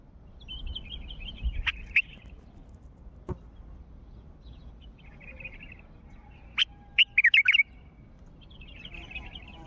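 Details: Wild Mandalawi bulbul calling: soft warbled twitter, two sharp notes, then a loud quick run of four or five liquid whistled notes near the end, with faint twittering between and a few clicks.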